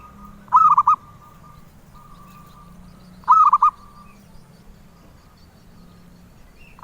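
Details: Zebra dove prized by collectors cooing in rolling, broken trills, two full phrases about three seconds apart and a third starting at the end, with faint steady tones and low hum between.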